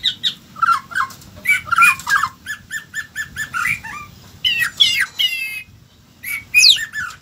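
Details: White-rumped shama delivering a varied song of short whistled notes, quick repeated chips and rapid rising trills, broken into bursts separated by brief pauses.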